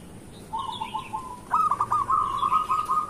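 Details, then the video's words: Local zebra dove in morning song, used to set off reluctant zebra doves: a soft low trill, then a louder hooked note leading into a fast, steady rolling coo. "Perkutut lokal gacor pancingan untuk pagi hari"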